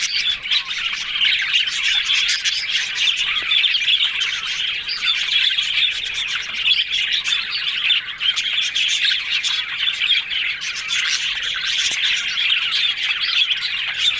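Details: A flock of yellow budgerigars, said to be happy, keeps up a long continuous twittering chatter, buzzy warbles and rapid chirps overlapping at constant volume.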